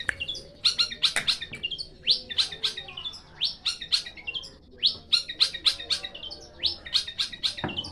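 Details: Long-tailed shrike repeating short bursts of sharp, clicking and upswept notes in evenly spaced phrases, roughly four per second, over a quiet background.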